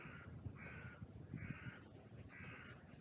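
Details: Crows calling from an oak tree in a cemetery, caught by a trail camera on a windy day: four harsh, hoarse caws at an even pace, about one every 0.6 seconds, over a low rumble of wind in the branches.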